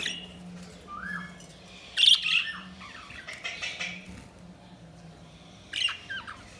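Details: Budgerigar chirping: short downslurred notes, a loud bright chirp burst near two seconds and another near the end, with soft chatter between and a low hum.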